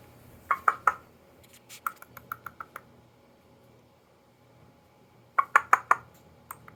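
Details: Pet male parrot Freedom in a living room on Hilton Head Island, SC, makes hollow tongue clucks and clicks: a quick triple cluck, a run of softer ticks, then another burst of clucks, in a quiet room.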